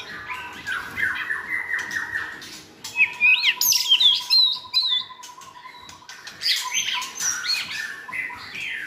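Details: Training song of white-rumped shamas, meant to give a selected shama more varied singing. Rapid scratchy notes lead into a long steady low whistle under sharp, bright squeaks and rising slurs, then more chatter.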